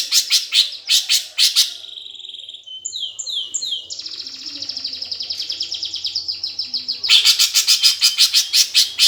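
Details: Fighting song of a greater green leafbird, gereja tarung style, used to spur competition birds: harsh chirps, varied whistled slurs and a trill, then loud rasping chatter returns.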